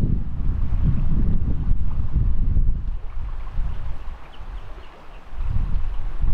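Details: Strong wind buffets the microphone with a steady low rumble, broken only by faint scattered high ticks and no clear animal voice.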